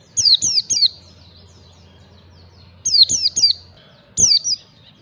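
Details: White-eye singing in the 'ngalas' style for a bird-training lure: three quick downslurred whistles, a pause of about two seconds, three more, then a single longer falling note. Background stays quiet.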